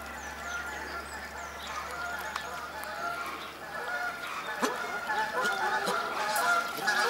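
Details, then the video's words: A pair of South African shelducks in a bird park at Walsrode, Germany, 2015: nasal, honking calls repeated in quick irregular runs, layered over a busy background of other birds and high chirps. "South African Shelducks"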